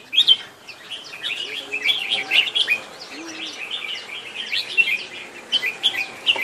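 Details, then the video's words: Red-whiskered Bulbul (Merbah Jambul) chirping in a quick, busy stream of bright, high notes that overlap almost without pause, with a faint low murmur in the background. "Chirping birds Merbah Jambul"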